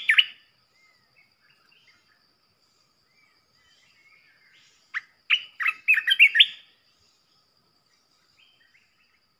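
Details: Red-whiskered bulbul used as an aggressive decoy to provoke rival bulbuls: a brief note at the start, a long quiet pause with faint notes, then a loud, chattering, warbled burst of slurred whistles lasting over a second.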